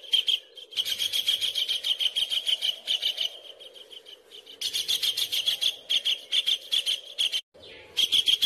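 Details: Collared kingfisher calls used as training audio for songbirds, fast, harsh, scratchy chattering notes in long bursts separated by short pauses.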